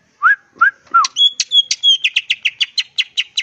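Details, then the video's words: Greater green leafbird in full lively song with varied fill-in phrases, crest raised while perched. Three low slurred whistles, then a rapid series of bright chirped notes repeated about three times a second. "Burung Cucak Ijo Gacor full isian Ngentrok Jambul Nembak"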